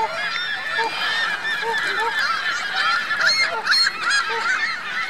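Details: A lakeside goose family with goslings at Virginia Lake, Reno, 2 May 2013: a dense chorus of overlapping honks and higher squeaky calls, with short nasal notes repeating quickly all through.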